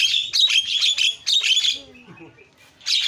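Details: Starling song for stirring quiet starlings into noisy singing: two thick bursts of rasping, scratchy chatter, a soft low warble in between, then a fresh harsh burst at the end.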